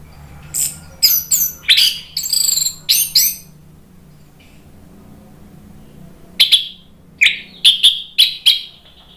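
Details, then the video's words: Lure song of an Orange-headed thrush, meant to make a silent caged bird respond in full voice: a burst of rapid sharp high notes, a pause of about three seconds, then clipped chirps and whistles repeated about every half second over faint low hum. "PANCINGAN ANIS MERAH biar EMOSI jadi NYAUT BUNYI GACOR NGEPLONG"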